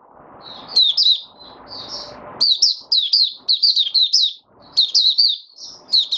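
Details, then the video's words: Kept oriental white-eye on the fifth day after its monthly deworming, giving an opening song of rapid, high, sweet twitters in short bursts, separated by low rumbling background noise that fades after two seconds. "Mata Puteh Raja Video 1 buka sing"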